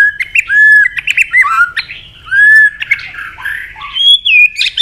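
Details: Fired-up white-rumped shama in full multi-note song: clear slurred whistles alternating with harsher squawky notes and sharp clicks, phrases tumbling closely one after another.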